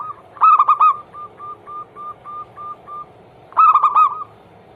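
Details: Zebra dove song as a daily prompt for other doves: a loud bubbling cluster of coos, then a steady row of about eight soft short notes, and a second loud cluster at the end.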